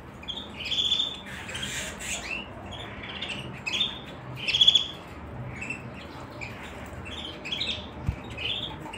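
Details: White canary singing in bursts of high chirps and short whistled upsweeps, louder phrases around the middle, separated by quiet gaps, with low steady background noise.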